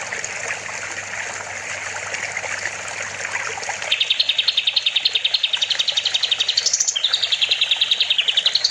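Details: Kapas tembak bulbul on a songbird master recording with water-therapy pauses: trickling water and scattered twitters at first, then a fast, loud, regular trill of clicking notes, rising in pitch before dropping and continuing.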